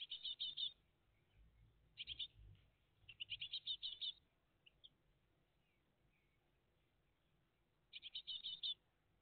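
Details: Great tit family at the nest on a June 2023 morning: short buzzy, high chirp bursts in quick clusters, heard three times with gaps of silence between, over faint low background rumble.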